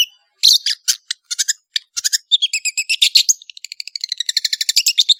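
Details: Long-tailed shrike (Lanius schach), known locally as cendet, singing vigorously: a varied run of harsh chattering notes and fast buzzy trills, the notes growing quicker and more regular toward the end, with no other sounds.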